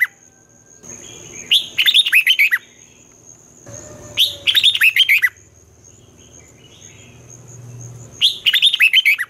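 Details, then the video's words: Red-whiskered bulbul morning song in the competitive fighting style, a twisting-voice type used to train young birds: three bursts of rapid, bright chirping notes about every three seconds over a steady high thin whine. "luyện chào mào hót sáng, Giọng xoắn hay dùng để ép bổi, Má trắng học giọng rất hay, chào mào hót đấu"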